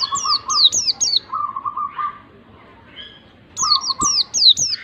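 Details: White-eye song used as a lure to provoke a reluctant bird into singing: bursts of four high, sharply descending whistled notes, then a lower steady buzzy trill, with a soft pause before another run of falling whistles.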